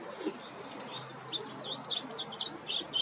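A white wagtail gives a run of quick, thin twittering notes, high-pitched and rapid, over faint background noise.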